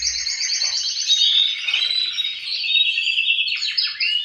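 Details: Male canaries singing together to encourage breeding: fast trilled rolls at high pitch merging into buzzy overlapping phrases, with a sudden falling note late on.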